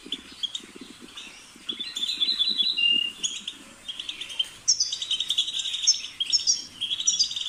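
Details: Twittering European goldfinch song with fast jangling notes and short buzzy trills. A soft low rattling pulse sounds underneath during the first two seconds.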